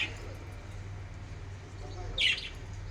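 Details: A pet budgerigar in the morning gives a single short, bright chirp over a steady low indoor hum.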